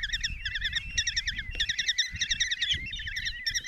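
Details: Common kestrel chicks, five in a nest box at Tiszalök, Hungary, on 27 June 2024, begging as the mother feeds them a mouse. Continuous, fast-pulsed trilling calls from several overlapping voices, with a thin drawn whine underneath.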